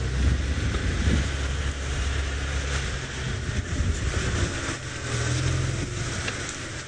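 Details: A vehicle engine rumbles low and steady throughout, with no animal calls audible.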